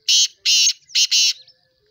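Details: Black francolin calling: four loud, harsh, grating notes in quick succession, the last two joined as a pair, with no other sounds.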